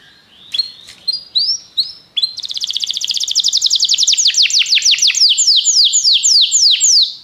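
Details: Belgian canary starting with a few separate rising chirps, then launching into a long, accelerating trill of sharply falling whistles that stays loud and even to the end.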